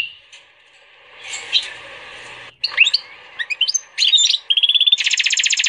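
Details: Female canary x Portuguese goldfinch hybrid singing after a quiet start: faint twitter, then sharp slurred chirps from about two and a half seconds, a clear sustained whistle, and a rapid rattling trill at the end.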